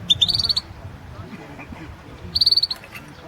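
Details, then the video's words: European goldfinch singing in a 2016 world song championship, competition entry 008: two short bursts of bright, rapid twittering notes with a faint low murmur between them. "Pesma štiglića 008/ 2016 Aleksandar Denčić World championship in Goldfinch Song 2016"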